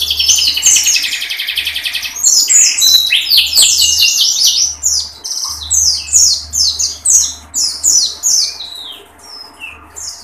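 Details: Pleci of the dakun type delivering tembakan song, beak open: a fast buzzy trill at the start, then clustered high chirps and downward-sweeping whistles in quick bursts that thin out toward the end, over a soft low hum.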